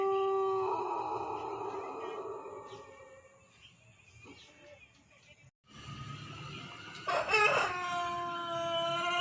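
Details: White Pelung chicken crowing: the fading tail of a long crow, a quiet stretch, then a new crow rising sharply and holding a steady harmonic tone to the end.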